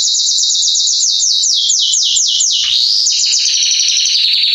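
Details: Male Belgian canary in song, meant to warm up another canary: a loud, rapid series of descending high swept notes slowing and dropping, then a fast buzzy trill on a steady high pitch.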